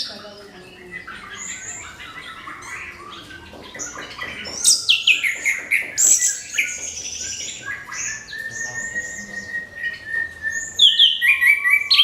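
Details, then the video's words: Orange-headed thrush song used to provoke other birds to sing: varied whistled and chattering phrases, high sweeping notes and rapid trills, with steady long whistles near the end. "SUARA MENGKRISTAL ANIS KEMBANG PANCINGAN"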